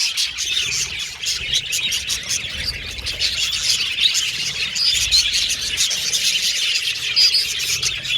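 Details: Group of pet Australian budgerigars chattering without pause, layered warbles and chirps forming a thick continuous chorus with occasional clear whistles.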